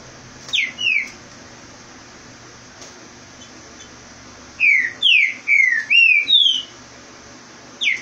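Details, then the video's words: Green-winged saltator (trinca-ferro) in Rio de Janeiro, fast song that drives off a rival: loud, rich whistles, a short pair of notes then a fast run of five bright slurred whistles, over a steady background hum. "Trinca ferro rapido corre o outro"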